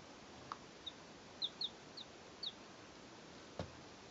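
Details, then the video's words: Domestic chicks, three birds two days old, recorded in 2012, uttering half a dozen short, high, downward peeps spaced irregularly, with a soft click or tap near the end. "2 day old chicks"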